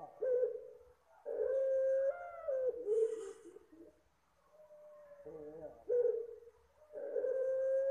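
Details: Puter Pelung dove giving a soft call, used as a lure for birds: low, smooth coos, each held steady then dipping slightly, in three bursts separated by short pauses, with a brief hiss partway through.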